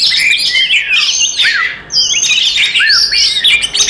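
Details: Oriental magpie-robin in fighting song, used as a lure to make other magpie-robins aggressive; rapid tumbling whistles and slurred up-and-down notes, a brief dip near the middle, then more busy chatter.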